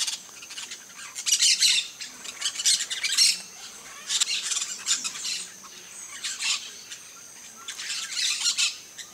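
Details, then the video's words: Harsh, grating squawks from a flock of peach-fronted parakeets at a feeder in Brazil, repeated in uneven bursts throughout. "PERIQUITO-REI bando (EUPSITTULA AUREA), PEACH-FRONTED PARAKEET, Jandaia-estrela no comedouro."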